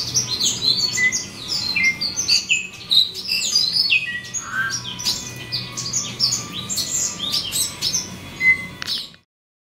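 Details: Yellow-browed citril (Crithagra frontalis) raised at a breeding facility, singing a fast, varied twittering song of high chirps and short warbled notes, with several overlapping birds and a soft low hum beneath.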